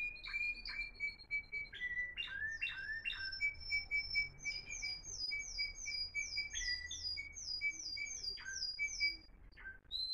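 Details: Timbrado canaries, three high-class birds, singing in the Florealdo style in 2021: long level whistled notes alternate with rapid clicking trills and descending slurs, with a row of repeated short bell-like notes in the middle, over faint low background hum.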